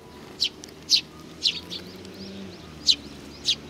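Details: Single sparrow-type chirps at a Tenmangu shrine on 4 July 2019. About six clear, high, clipped notes roughly half a second apart, with a pause mid-clip and a low hum beneath.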